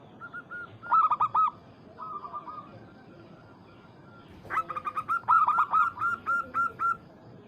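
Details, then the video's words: Zebra dove of local stock calling to a rival as a lure: a short loud burst of coos, a faint trill, a lull, then a long run of bright repeated staccato cooing notes. "PERKUTUT Lokal MEMANGGIL LAWAN"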